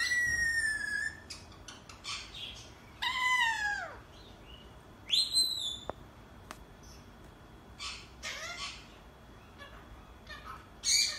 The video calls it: Alexandrine Parrot Singing and Meowing like a cat